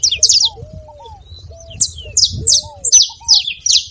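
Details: Short saffron finch phrases of sharp high chips, delivered to rouse a cold canary into song, alternate with long, lower, gently arching whistles from another bird.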